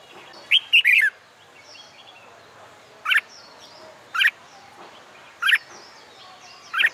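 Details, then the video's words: Red-whiskered bulbul singing on a sunny summer day, used to train birds for song contests: one quick burst of warbled, whistled notes, then single short chirps spaced about a second apart over a quiet background. "LUYỆN CHÀO MÀO HÓT ĐẤU/ CHIM CHÀO MÀO HÓT GIỮA NẮNG NGÀY HÈ/ CHÀO MÀO HÓT KÍCH CHIM MỘC SỔ GIỌNG HÓT"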